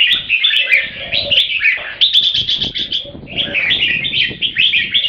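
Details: Purebred Thai red-whiskered bulbul in keke, its competition call: fast, scratchy chattering phrases run almost without a break, with a brief pulsed stretch and faint low mellow notes beneath.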